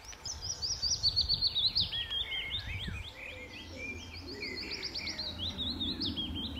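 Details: Willow warbler male in June 2014 at Standalone Farm, Letchworth, singing from the same treetop branches on his patch: a descending run of soft whistled notes, followed by further twittering phrases, with other birds and a low background rumble.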